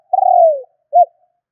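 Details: Spotted dove lure call for rousing decoy birds: one long, slightly rolling coo that glides down in pitch, followed after a short gap by a single clipped, arched coo; no other sounds.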